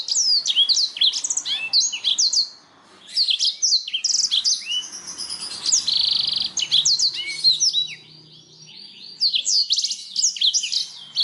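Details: Canary song used as a lure to stimulate other songbirds to sing more: a dense, fast stream of high trills, chirps and sweeping whistled notes, with a sustained buzzy roll around the middle and short gaps between bursts.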